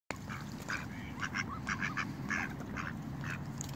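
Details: A mallard pair calls, with the female quibbling to warn off other ducks seeking snacks: short, nasal, raspy quacks, about two a second in uneven bursts, over a steady low background rumble.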